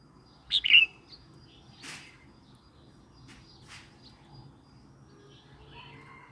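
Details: Song of a red-whiskered bulbul, used for provoking other birds and teaching young ones: a single quick, chirpy two-part phrase near the start, then only faint scattered clicks and rustling over steady low background noise.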